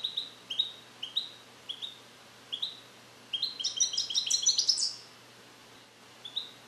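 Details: A captive-born male European goldfinch from 2021, song-trained on Neapolitan passages and still perfecting his incomplete song in a small carrier cage, repeats bright rising chirps, then a fast tinkling twitter of high liquid notes.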